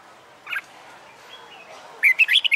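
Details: Red-whiskered bulbul, wild-caught and caged, being trained for fighting song: a lone short chirp, a quiet pause, then the start of a rapid whistled phrase cut off at the end.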